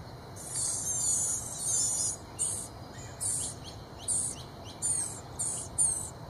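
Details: Excited blue-gray gnatcatcher chicks begging as bug-carrying parents come to the nest: a long run of high, buzzy hissing, then about seven short sizzling bursts in quick, uneven succession.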